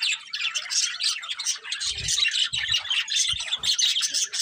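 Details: A colourful budgerigar breeding pair chirping: continuous rapid twitter of buzzy and whistled notes, with several soft low thuds scattered through the middle.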